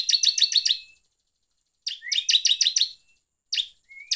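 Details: Bar-winged prinia lure song, 'gacor ngeplong' style, meant to agitate other birds: fast trills of sharp double chirps, about five per second, in three bursts with a long silent gap, a faint rising tone beneath.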